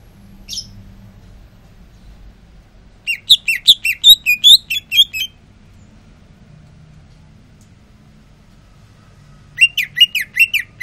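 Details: Caged greater green leafbird singing after being sunbathed, cooling down: a lone high note, then a fast two-second burst of about ten varied chirping notes, a long pause, and another rapid burst at the end.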